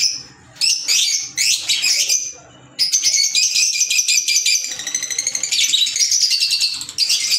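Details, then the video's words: Green Fischer's lovebirds give two short shrill squawks, pause, then break into a sustained stretch of fast, buzzy, high chattering lasting about four seconds. "Fisher Love Birds Sound"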